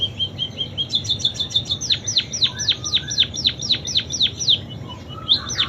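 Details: Munia song packed with canary-style imitations, opening with soft repeated chips that build into a fast, steady run of high descending swept whistles, roughly four each second.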